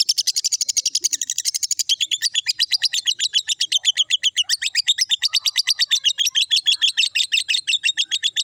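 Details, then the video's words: Lovebird giving its "ngekek" call: a long, unbroken run of shrill, rapid chattering notes, about seven a second, for the whole eight seconds, with no other sounds. "love bird ngekek"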